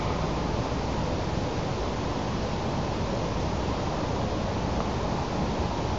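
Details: Steady broadband roar of wind or rushing noise, strongest in the low range, with no animal calls.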